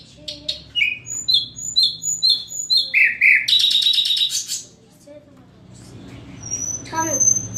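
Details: A common nightingale's song runs a series of evenly repeated clear whistled notes, then a rich rattling buzz, a short silence and a thin high whistle with a final sharp note, against a low steady hum.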